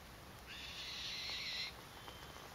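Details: Two young black-shouldered kites in Maine-et-Loire, recorded 4.12.18; a single faint, hoarse, hissing screech lasting just over a second, fairly even in pitch, set against steady background hiss.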